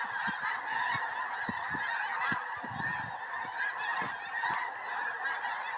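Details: A massive flock of snow geese settling into a Tennessee field in January 2026 just before a historic snowstorm; steady overlapping honking from many birds, a rough wall of calls with scattered low knocks underneath.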